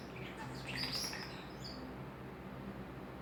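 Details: Common starling kept as a pet, vocalizing just to hear himself: a burst of high squeaky whistles and chatter near the start, fading to softer sputtering notes, with a steady low hum throughout.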